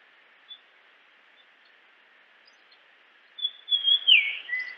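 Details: After a few seconds of near silence with one faint note, a Japanese grosbeak gives a single loud whistled phrase. It has a sharp downward slur followed by a lower held tone.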